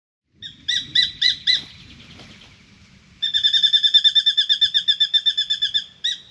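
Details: Spangled drongo in a mango tree scolds a Pied Currawong with short, metallic, nasal notes: four quick ones, a pause, then a long, even run of about twenty, over a faint low rumble.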